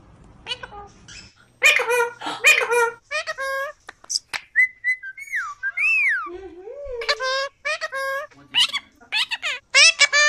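A cockatiel gives a run of harmonic, speech-like squawks and clear whistles, some rising and gliding, imitating the word "peekaboo"; no other sounds intrude.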